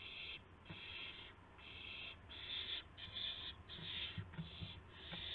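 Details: Dawn recording from March 26, 2016, of an owl arriving with prey, a gopher and a mouse; rasping hiss-like bursts come in quick succession with short gaps, with faint low knocks and rustles beneath.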